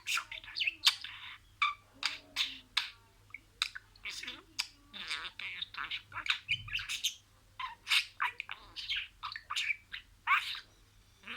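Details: Pet budgie chattering and imitating words: a long, unbroken run of sharp chirps, clicks and buzzy, speech-like syllables, rapid and irregular throughout.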